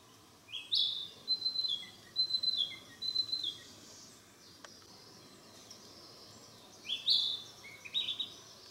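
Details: Narcissus flycatcher practising its song in the mountains: short whistled phrases with a sharp rising opening note, then level and falling notes, in two bouts near the start and end, separated by a quiet stretch with a steady background hiss.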